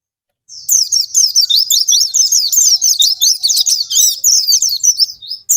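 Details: Oriental white-eye singing a lure song meant to stir sluggish or silent caged birds into singing: a fast, continuous stream of high, thin warbled chirps and twittering notes with quick sweeps, steady throughout.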